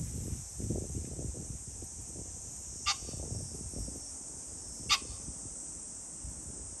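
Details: Pheasant calling on 21 July 2024: two short, harsh, explosive bursts about two seconds apart over a constant high-pitched hiss and low rumbling background noise.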